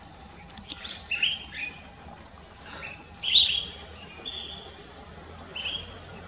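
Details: Collared finchbill at Lugu, December 2022: sparse, short, sharp chirps spaced about a second apart, the loudest in the middle, against quiet rural background noise.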